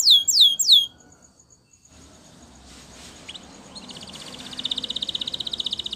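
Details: Spanish Timbrado canary training song opening with three loud falling whistles, followed by a faint thin trill and then a quiet rapid pulsed roll over soft background hiss.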